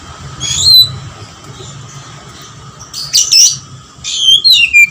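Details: Oriental magpie-robin singing an intense song that includes lovebird material: high whistled notes sliding downward, then after a pause two bursts of harsh, buzzy, rapid notes near the end, over a steady low hum.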